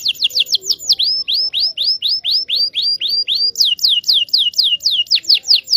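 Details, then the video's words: Canary song used to coach young canaries: a steady series of sweeping, down-slurred whistles about four per second. The pitch steps higher partway through and continues in the same even rhythm. "KENARI GACOR NGEROL PANJANG PANCINGAN KENARI PAUD BELAJAR BUNYI"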